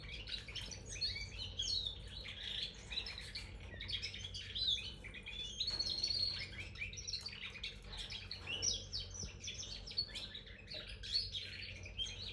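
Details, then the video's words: Red factor canary chirping in a continuous, rapid warble of twittering, trilled and whistled high notes without pause, over a steady low hum. "Beautiful red factor canary chirping sound"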